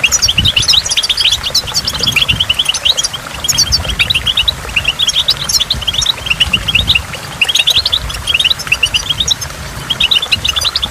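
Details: Goldfinch singing at a waterfall, delivering repeated clusters of sharp, high chirps in quick, twittering runs with brief gaps between them, while falling water and drops rumble steadily underneath.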